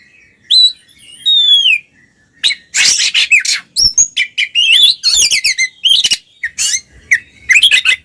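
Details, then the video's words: Twin Oriental magpie-robins in full ngeplong song, played to draw silent magpie-robins into singing: clear descending whistles open the clip, then a dense run of varied chattering, mimic-like notes and high trills with brief gaps. "suara burung Kacer kembar NGEPLONG"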